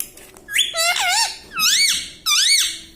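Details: Pet parrot mimicking words like "mitthu" and "mummy" indoors: three loud, wavering harmonic syllables, each rising then falling, spaced roughly a second apart.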